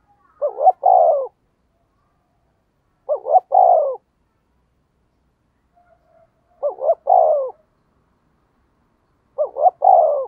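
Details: Spotted dove pumping out coos to attract wild doves: four identical short phrases, each a quick double note plus a falling coo, spaced roughly every three seconds in otherwise silent surroundings.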